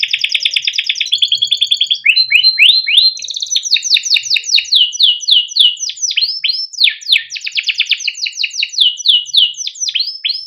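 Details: Canary song used as a master recording to train young canaries to sing; long rolling phrases of fast repeated trills, shifting into downslurred chirps repeated about three per second, clear with no background sounds.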